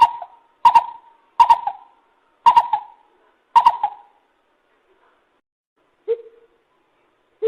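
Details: Lesser coucal (Centropus bengalensis) calling: hollow, resonant hoots in quick pairs and short runs, five in about four seconds, then lower, softer notes after a pause.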